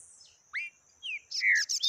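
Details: Yellow-bellied seedeater song of the taquara rachada type: a few separate whistled notes, one sharply rising and one falling slur, then a rapid run of buzzy high trills and a long descending whistle, with a steady high tone behind.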